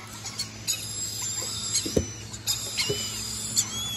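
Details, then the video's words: Shrill, piercing squeals from a red-collared lorikeet, several short bursts in quick irregular succession, with a constant low hum underneath. "Red-collared Lorikeet"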